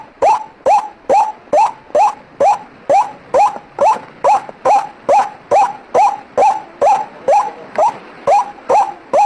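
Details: White-breasted waterhen lure recording: a steady run of harsh, rasping notes, each sweeping sharply upward, repeated a little over twice a second with even spacing and no other sounds.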